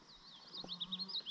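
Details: Two Common Yellowthroats sing at a bog edge in the western Adirondacks during a 2021 birdathon: quick, high, slurred whistled notes in a rolling, wavy run, with a faint low hum and brief soft thumps underneath.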